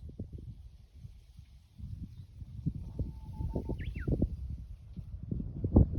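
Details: A Japanese bush warbler on Mount Yahiko holds a level whistle, then snaps into quick downward-sweeping notes. Low rumbling and knocking go on throughout.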